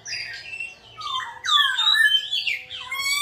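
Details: Singing bird giving harsh, squawky whistled notes that rise and fall, then a loud sweeping phrase and a fast buzzy rattle at the end. A steady low tone runs throughout.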